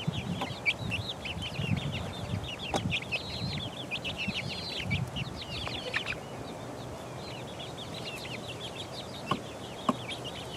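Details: Chicks four weeks old pecking about, producing busy overlapping high descending peeps for the first six seconds, then sparser chirps, over a low rumbling background and occasional knocks.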